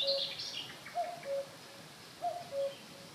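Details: Common cuckoo singing at Holnis, Germany: its soft, falling two-note 'cu-coo', repeated about every 1.5 seconds, with thin high chirps from other birds behind.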